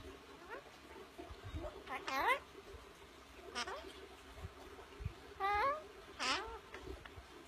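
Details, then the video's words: Wing-clipped pet parrot chattering in an enclosed courtyard: a run of quick rising and falling squeaky notes, a few louder wavering whistles clustered in bursts, with soft knocks and low background noise. "just a knock and a little chatter"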